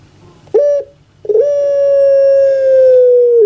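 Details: A kept puter pelung dove cooing in a concert. A short rising note is followed after a pause by a very long, level, tonal coo held for about two seconds, dipping at the very end.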